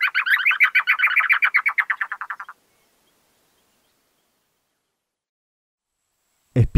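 Chotoy Spinetail: a dry, chattering series of about twenty rapid notes over two and a half seconds, slowly dropping and fading, then silence before a voice begins.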